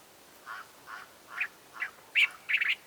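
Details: A Cape bulbul (Pycnonotus capensis) gives six short, liquid notes about every half second, climbing higher and ending in a quick chattering triple, over a quiet background.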